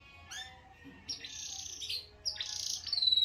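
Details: Canary sounds: a few quiet upward whistles, then harsh buzzy grating bursts growing louder, ending in a thin steady whistle.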